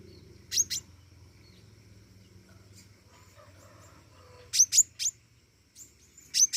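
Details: Flowerpecker in full song: piercing high double and triple ticks, a pair early, then a rapid cluster near the end after a long silence, with soft low hum between.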